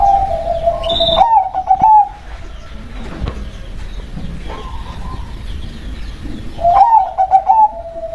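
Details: Local zebra dove cooing: a mellow trilled, bubbling coo phrase, then a pause of about five seconds with faint background noise, then the trilled phrase again.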